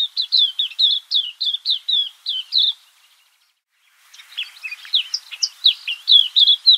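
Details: Garden Cape white-eye producing brisk, high-pitched chirps several per second, falling silent for about a second, then resuming with a denser, more varied twittering burst.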